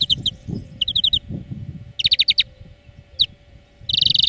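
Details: European greenfinch song played as a training lesson for birds: quick twittering trills in short bursts and a single sharp note, ending in a long buzzy, rasping wheeze held for half a second, over a low background hum.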